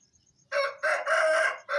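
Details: Aseel rooster crowing at dawn around 4:30 am as a wake-up call on a farm: a loud, harsh multi-part crow with a short opening note, a long sustained middle syllable and a final burst, over near silence.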